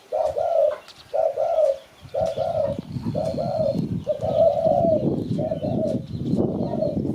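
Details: Spotted dove recording named as Malay and used to lure birds for catching: a steady run of low, mellow coos, roughly one per second with short gaps, some notes drawn out, over a rumbling low background noise.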